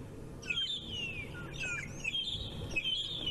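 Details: At sunrise on 5 June 2017 at Djuma Game Reserve, South Africa, at least two magpie shrikes atop a tree sing their morning song: clear, fluty downward-sliding whistles about once a second over a low background rumble.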